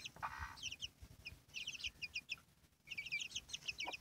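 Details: A hen and her brood of chicks. Rapid, high, falling cheeps from several chicks come in clusters. A short burst of throaty clucking from the hen opens the recording, and a quieter gap falls near the middle.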